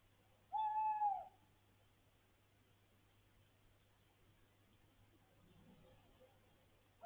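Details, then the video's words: Tawny owl perched on a house roof above a window at night, giving one drawn-out hoot about half a second long, then a quiet stretch with steady low hum in the background. "Puszczyk , fajnie się śpi przy takiej "muzyce""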